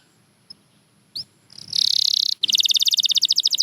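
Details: Canary singing for bird training: faint scattered chirps at first, then a swelling buzzy roll, a short break, and a loud, very fast rattling trill to the end.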